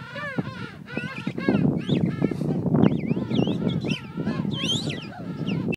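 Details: King penguin parents feeding their chick give loud, trumpeting calls that waver up and down in pitch, several overlapping at once over a steady colony rumble.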